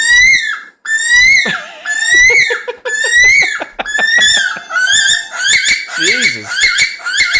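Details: Australian bush stone-curlew gives eerie, ear-piercing screeching wails that rise then drop, about once a second, growing faster as more birds join in.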